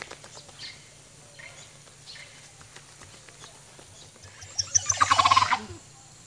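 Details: Male ocellated turkey strutting and displaying to attract a mate at a lodge in Belize; a sudden burst of rapid pulsed notes, accelerating and rising in loudness near the end, after quieter scattered forest calls.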